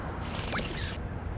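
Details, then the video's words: Common kingfisher (Alcedo atthis) at the nest-feeding stage with chicks: a pair of piercing high whistles, the second longer and gently descending, against faint low rumble. "翠鳥 - 育雛/Common Kingfisher - feeding baby"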